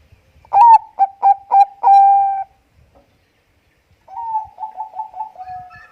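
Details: A Bangkok-type zebra dove singing vigorously, played as a lure for other doves: soft, rolling cooing song with a burst of quick, bubbling notes ending in a long held coo, then a second trilled phrase.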